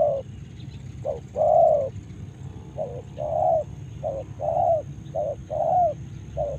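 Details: Spotted dove (tekukur) from Karawang cooing: soft, hollow low coos in short phrases, each a brief note followed by a longer rounded coo, repeated roughly every second, over a steady low background rumble.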